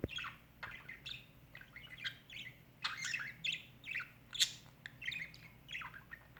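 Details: A male pet budgerigar meeting a new bird after more than a year without bird company chatters steadily, giving bursts of scratchy warbles, clicks and bright chirps in short runs.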